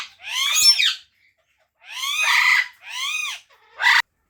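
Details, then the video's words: Parrot giving long raspy screeches that rise then fall, three drawn-out calls spaced irregularly and a short sharp squawk to finish, otherwise quiet. "Natural Parrot Chirping Sounds | Parrot Voice | Tote Ki Awaaz"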